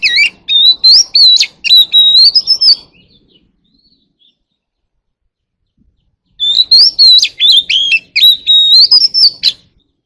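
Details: White-rumped shama singing in a wild forest voice to call its flock. Two bursts of rapid whistled phrases, each about three seconds long, mixing sliding whistles and sharp chips, separated by a few seconds of silence.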